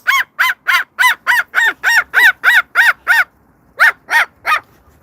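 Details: A pet Moluccan cockatoo gives a rapid series of harsh, barking squawks, barking at a dog across the street.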